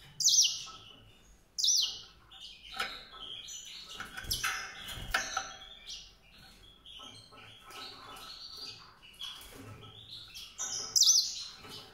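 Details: White-rumped seedeater song: sharp high chirps and scattered twittering notes spread over several seconds, with quieter gaps between phrases.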